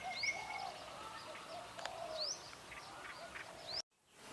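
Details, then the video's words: Wild forest birds at Phu Sing, Sisaket, Thailand: thin upward-sweeping high whistles repeated about every second and a half, with softer twittering underneath and a steady background hiss. The sound cuts off abruptly near the end. "Singing Bird - Forest Birdsong"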